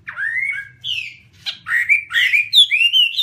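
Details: Chinese hwamei song of loud, varied whistled phrases, with rising and falling slurs and rich warbled notes that follow one another with little pause.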